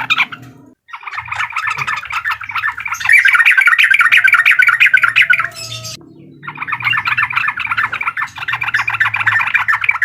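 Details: Sooty-headed bulbul singing in the uklik style, used to provoke a rival: dense, fast chattering notes repeated about three per second, broken by a brief pause near six seconds, over a low background hum.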